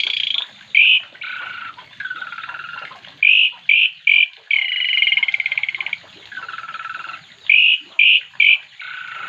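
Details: Song of an Oriental magpie-robin by a rural hut beside rice paddies: bright buzzy trills and short rasping notes in quick clusters, with a few lower slurred notes between them and gaps of about a second.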